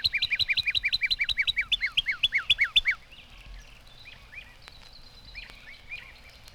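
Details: A Northern Cardinal sings in spring on a morning walk, on a 1954 Cornell recording. A fast run of about fifteen clear, downslurred whistles, like someone whistling for a dog, slows slightly over three seconds, then softer, scattered whistled phrases follow.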